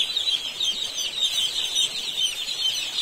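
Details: Flock of young chicks in an Indian poultry farm keeping up an unbroken wash of thin, high-pitched cheeping, many voices overlapping evenly throughout.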